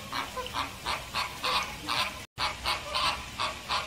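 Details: American flamingo giving a steady series of loud, goose-like nasal honks, each short and evenly spaced about three per second, the pattern continuing after a brief cut; no other clear sounds.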